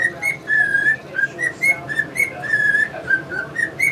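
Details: Male cockatiel kept as a pet whistles a tune, such as "Yankee Doodle Dandy" or the "Mexican Hat Dance", while English budgies watch. A steady run of pure whistled notes, some slurred upward, repeats about twice per second.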